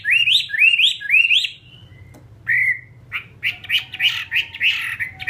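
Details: Chinese hwamei kept caged as a Vietnamese fighting bird ('họa mi chiến'). Three matching looping whistles, a brief pause, then a quick burbling string of short, rich notes.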